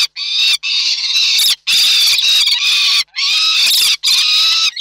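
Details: Harsh, screaming calls from peregrine falcons at Reda, Poland, on 29 June 2024: four or five extended grating screams lasting up to a second and a half each, with faint background noise.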